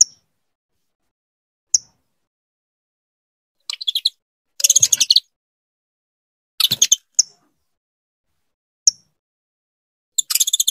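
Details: Female saffron finch calling a lot to bring her mate into breeding; isolated sharp high chips spaced a couple of seconds apart, alternating with brief rapid chattering bursts.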